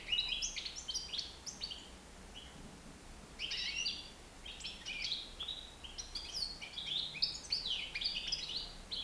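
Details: European goldfinch, nine months old, flying free indoors in a living room, sings in rapid bursts of bright, tinkling twitters and buzzy trills, pausing briefly between two long phrases before a third begins.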